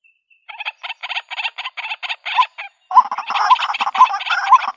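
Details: White-breasted waterhen sounds for luring birds into a trap in the countryside: a quick run of rasping pulses, then louder, noisier croaks mixed with short hooked notes.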